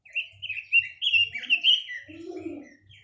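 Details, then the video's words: Chinese hwamei singing: a rich run of loud whistled phrases, slurred and warbling, rising and falling without pause, with a few low soft notes near the end. "Tiếng chim quế lâm"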